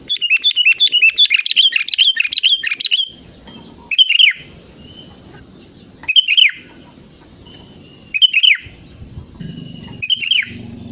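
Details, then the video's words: Lively sooty-headed bulbul in real voice, used as a lure for other birds to join in: a dense run of bright warbled chirps, followed by short slurred phrases roughly every two seconds over a faint low hum. "BURUNG KUTILANG GACOR SUARA ASLI PALING AMPUH UNTUK PANCINGAN AGAR IKUT BUNYI GACOR"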